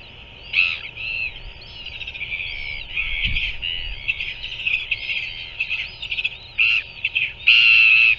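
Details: Parent feeding a royal albatross chick at a New Zealand nest, captured on a live cam on 7 February 2024 at 5:41 pm; rapid run of overlapping squeaky, chattering notes building to louder harsh bursts at the end.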